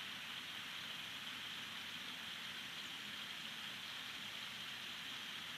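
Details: Unvarying rain hiss with a faint engine-like undertone, and no creature audible.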